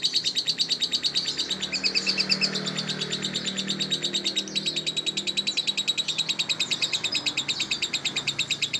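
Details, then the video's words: Pet lovebird chattering nonstop, a long run of fast high chirps pulsing several times a second, with a faint low hum beneath. "Burung lovebird gacor"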